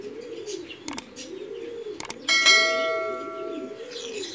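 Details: A Mookee pigeon coos in soft, low, rolling phrases, repeated steadily, while a bell rings briefly.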